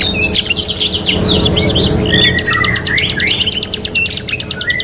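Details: Canary in a three-in-one training recording sings quick chirpy phrases and downward-sliding whistles, then a sharp staccato trill of repeated notes, over a noticeable low rumbling background.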